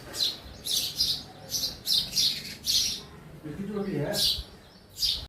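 A sparrow gives bright, high chirps, roughly two per second, with a brief low voice or murmur partway through in an indoor room.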